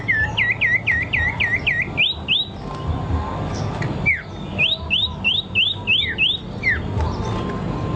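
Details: Bird song of fast repeated looped whistles, a run of about six falling-rising notes, a brief break with single downslurred notes, then another rapid series of rising whistles; low background noise.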